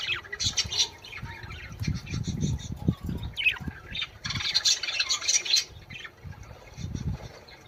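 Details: Budgerigar song meant to prompt breeding: dense, buzzy chattering phrases with a squeaky downward chirp, accompanied by repeated low thumping noises.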